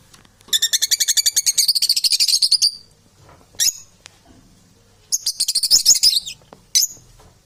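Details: Domestic parrots producing a sustained fast rattling chatter of high, buzzy pulses, followed by short squawks and another harsh burst.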